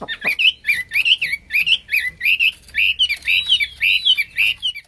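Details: Hwamei, or wambi, pouring out nonstop song: steady series of rising, looping whistled phrases roughly twice a second, ringing and uninterrupted.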